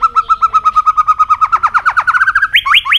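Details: Loud, rapid string of about thirty-five short repeated notes at an even pitch from an Asian robin, speeding slightly, then a few higher, upward-flicking notes at the end.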